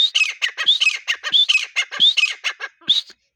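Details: Grey partridge, or teetar, in the breeding season: repeated raspy squawks, each with a rising whistled start, delivered in a steady run that ends with a brief gap and one final note.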